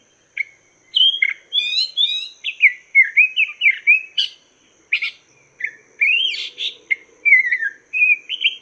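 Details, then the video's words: Chinese hwamei song, recorded as a master song to teach cage birds: continuous rich whistling with rapid up-and-down slurs, harsh accented notes and trilled bursts, with only brief breaks and a faint high hum. "Masteran Burung Poksay Mandarin"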